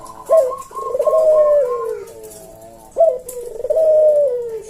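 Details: Cage collared dove, puter jawa, in slow senggang cooing: a short clipped opening note followed by a long downward-gliding coo, repeated once after about three seconds, clean and mellow.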